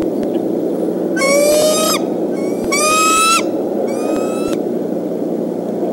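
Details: Decorah bald eagle parents guarding their nest and young from a fox squirrel on an April afternoon; three loud, ringing high chatters of piping notes, the middle one strongest, against steady windy rumble.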